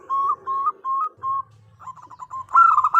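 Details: Female zebra dove calling the male: four drawn-out whistled coos, each rising slightly at the end, then quick stuttering notes and a louder rolling coo.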